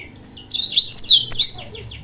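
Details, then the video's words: Yellow-fronted canary song used as a lure to provoke rival birds: a rapid, loud run of high trilled and swept notes, with fast descending and rising slurs packed together, against a quiet background. "PANCINGAN/MASTERAN BURUNG MOZAMBIK"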